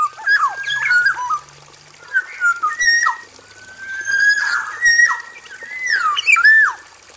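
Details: Male black-naped oriole, kept in an aviary and singing vigorously: a run of liquid whistled phrases, rising and falling, some sliding downward, interspersed with brief raspy sounds; steady high hiss behind.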